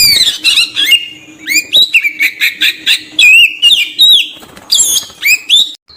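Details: Oriental magpie-robin song played as a bird lure: shrill, rapidly repeated whistled notes and sweeping upward slurs, delivered in dense bursts with brief gaps and a faint low hum beneath.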